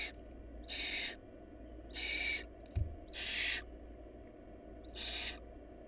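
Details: Hungry barn owl nestlings in a family lacking food give five rasping hissed screeches roughly a second apart. A brief low thump sounds in the middle, over a constant low background hum.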